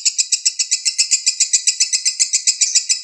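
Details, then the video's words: Steady, rhythmic lovebird chatter of the konslet lure type, roughly five to six shrill notes every second, evenly repeated throughout. "Pancingan lovebird konslet"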